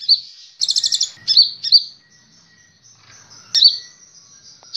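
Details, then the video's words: Cage-bird training song of the kolibri ninja sunbird: a fast high rattle of tight notes, several piercing chirps, then a thin drawn-out whistle and one last sharp note. "Masteran Burung Kolibri Ninja istimewa bikin gacor ngeplong"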